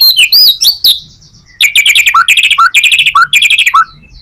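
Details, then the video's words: White-rumped shama singing, meant as a lure for other shamas: looping high whistles followed by a chattering series of rapid stuttered notes ending in short low upslurs. "Murai batu full materi,cocok buat pancingan murai batu lainnya"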